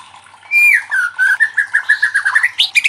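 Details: White-rumped shama song intended to spur other shamas to sing: a long high whistle drops into a quick series of repeated even notes that rise in pitch at the close.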